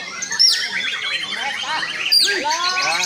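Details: White-rumped shama singing: loud, varied whistled phrases of rising and falling arcs, with two sharp high downward-sweeping notes at about half a second and just past two seconds, over a dense layered background of chirps.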